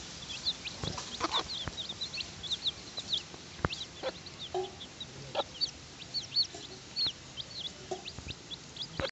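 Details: Chickens during feeding, a hen with her brood: dense, high-pitched cheeping from many chicks, short soft lower clucks here and there, and occasional sharp pecking or tapping clicks.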